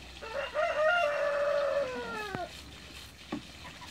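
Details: Toulouse geese, mature and young, swimming in a backyard: one bird gives a drawn-out, nasal honk that holds level and then slides downward, followed by a single faint short note.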